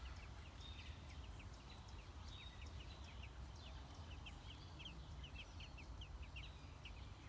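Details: American robin nestlings, six days old, being fed at the nest, giving short high peeping notes in quick irregular runs, about three to four per second, against constant low background hum.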